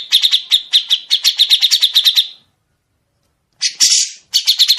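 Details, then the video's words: Grey-cheeked bulbul recorded for training songbirds, singing long, sharp, clear rasping phrases. An extended rapid stuttering trill runs over two seconds. After a pause comes a dense scratchy burst, then trilling begins again. "Masteran suara burung CUCAK JENGGOT dengan besetan panjang"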